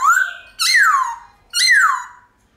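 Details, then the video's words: White-cheeked laughingthrush singing a forest-style, long-drawn song: a clear rising whistle followed by two loud, rich whistles that swoop upward and then slide down, with a brief pause between phrases. "Khướu Bạc Má Hót Giọng Chuẩn Rừng Ngân Dài Cực Hay"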